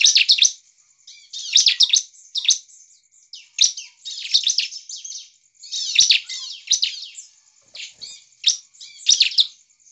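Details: Bar-winged prinia in full song, used as a lure to provoke other prinias into singing aggressively. It gives bursts of high, buzzy, rapid chirps and trills, each under a second long and repeated about every second.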